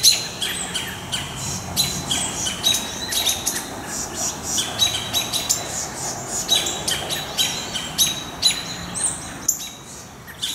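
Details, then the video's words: A Wood Thrush, joined by many other birds, gives alarm calls while mobbing a juvenile Great Horned Owl near its nesting area on July 6, 2019: sharp, high pit notes in quick, uneven bursts, several each second, agitated and nearly continuous. "Great Horned Owlet and the Wood Thrush - Alarm calls"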